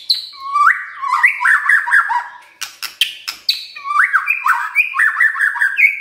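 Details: White-rumped shama song used in the morning as a lure to provoke silent shamas to sing: rich, varied warbled whistles with rising and falling phrases, broken midway by a burst of sharp, clicking broadband notes before the melodious phrases resume.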